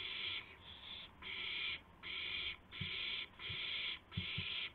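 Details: At 2:51 AM on 2 April 2016, amid a gopher prey delivery, an owl makes repeated coarse hissing screeches, about seven in under five seconds, with a few soft knocking sounds.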